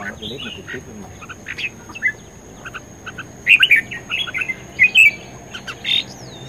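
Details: Red-whiskered bulbul singing in a contest setting, a captive bird in fighting form: bright warbled phrases around two to four kilohertz, brief clusters scattered across the stretch, loudest bursts near the middle, with a steady high electronic whine and faint low voices behind.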